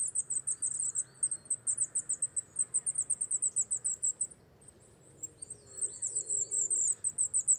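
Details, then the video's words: Wallcreeper on a rocky cliff in winter, moulting into breeding dress; fast, shrill high notes tumble in a dense run, fall silent for about a second, then restart just as quickly. "Zedníček skalní, Wallcreeper, Mauerläufer, Pomurnik, Treparriscos, Tichodrome échelette,Rotskruiper"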